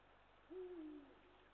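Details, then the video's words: One deep hoot from a Eurasian eagle-owl on 20 March 2023: a smooth low tone held for roughly half a second, easing slightly lower at its end, with only soft hiss behind it. "Kassikakk Bubo bubo"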